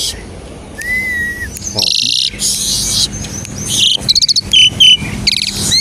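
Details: Asian pied starling lure song for prompting other starlings to sing: a lone drawn-out whistle, then harsh noisy blasts followed by a rapid run of clipped chirps and short whistles.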